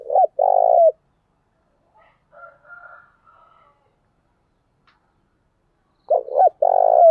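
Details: Spotted dove lure call (thúc gù, gáy gọi) used to stir decoy doves into responding quickly. A clipped double coo followed by a long, throaty, rolling coo, then soft, faint murmuring notes. After a pause the phrase repeats. Background silent.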